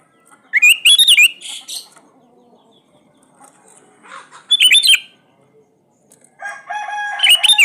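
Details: Lure song of a gacor sooty-headed bulbul for birds that rarely sing: three separate loud bursts of bright, warbled whistles with sharp upward slurs, quiet gaps between them.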